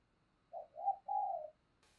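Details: Spotted dove decoy bird calling to stir other doves into cooing: one short, quiet phrase of three low hollow coos, the last drawn out and slightly falling, ending in brief faint noise.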